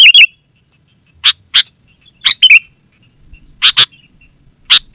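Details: Sooty-headed bulbul, or kutilang, heard in a lure and training recording. Sparse, sharp single and paired chirps sound at uneven intervals, about two dozen a minute, with a slurred phrase early on and a faint constant high whine.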